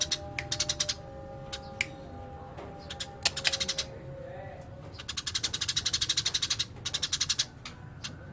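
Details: Eurasian tree sparrow: a few scattered chirps at first, then a long fast rolling run of crisp, even chirps at about four per second, over a low hum with a faint whine.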